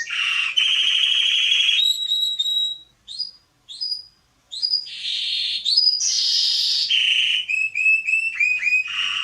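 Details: Canary (Serinus canaria) song meant for training young birds: buzzy rolling tours and pure whistled notes, a short near-silent gap around the middle with lone sliding whistles, then bubbling trills and rising chips.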